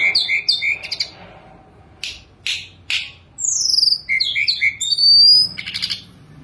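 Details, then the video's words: Sunda robin singing actively while perched quietly, its song full of rich added phrases: clear whistled notes sliding between high pitches, mixed with short sharp chips and buzzy bursts, delivered in uneven clusters. "Tledekan Gunung Gacor full diam di pangkringan||| isian mewah"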